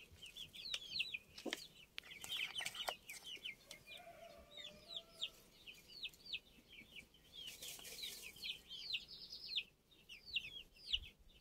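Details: Chorus of older chicken chicks on 29 June, steady high cheeping in quick falling notes from several birds at once, with two bursts of loud rustling or scraping noise.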